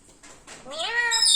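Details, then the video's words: In a kitchen, a talking parrot gives a soft lead-in, then a rising harmonic vocal note ending in a high whistle. "parrot talking കിച്ചണിൽ വന്നിരിന്നു സംസാരിക്കണത് കേൾക്കു ഞെട്ടും"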